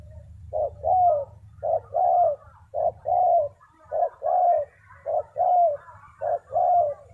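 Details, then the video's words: Spotted dove used as a lure to provoke wild doves quickly: rhythmic cooing, each phrase a short note followed by a longer falling coo, repeated about every 1.1 seconds over a low background rumble. "Chim cu gáy chiêu kích mồi tập bổi nhanh nổi hiệu quả"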